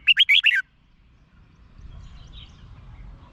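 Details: Red-whiskered bulbul from Thailand, song played to excite caged birds: one short, cheerful phrase of five quick liquid notes going up and down, then quiet low rumble.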